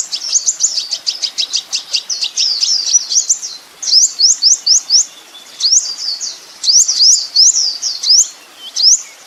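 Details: Kolibri ninja sunbird singing on a master recording meant to train other songbirds: a fast series of very high sharp notes, then bursts of three to five rising, whistled upslurs.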